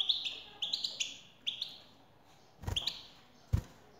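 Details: European goldfinch, female call meant to set a male singing: a few quick, high chirping twitters early on, then quieter, with two loud clicks or taps near the end.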